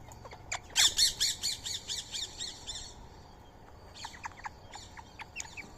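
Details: Indian ringneck parakeet feeding on soaked rice and corn meal beside a squirrel; a burst of about nine harsh, rapid squawks over two seconds, followed by softer, scattered chirping notes.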